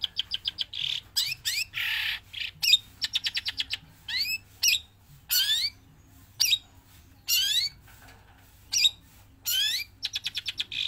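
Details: Javan long-tailed shrike, a trained bird that keeps singing whether caged or set free: loud scratchy squawks alternate with quick rising whistled slurs and short stuttering series of clipped notes, separated by brief gaps.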